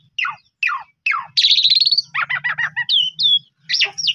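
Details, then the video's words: Asian pied starling, Pundung type, singing persistently to coax quiet or stressed birds: three falling whistled slurs, then a buzzy rattle, a stuttering series of short notes and sharp upslurred whistles. "Pancingan Jalak Suren Paling Bagus !! Jalak Suren Pundung 100% Gacor"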